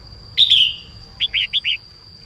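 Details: Female red-whiskered bulbul singing in the morning to stir males into song: one bright, slurred phrase falling through the mid-high range, then four short, clipped upswept notes in quick succession, with a steady thin high tone in the background.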